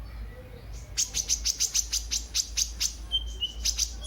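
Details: Sunbird (kolibri ninja) in lively full song, used as a lure and tutor recording for other birds: a run of about twelve sharp, high, evenly spaced chirps over roughly three seconds, then a brief thin whistle, with a low steady hum behind.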